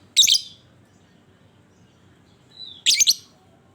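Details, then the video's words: Ngekek chatter of a lovebird played to lure other lovebirds into song: two sharp, rasping bursts nearly three seconds apart, the second led by a brief thin whistle. "Panciangan Burung Lovebird"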